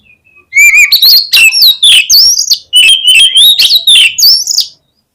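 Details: Oriental magpie-robin singing loudly as a lure recording meant to stir other magpie-robins into song. A rapid run of varied, clear whistled and slurred notes, many short phrases packed tightly over about four seconds, with little background noise.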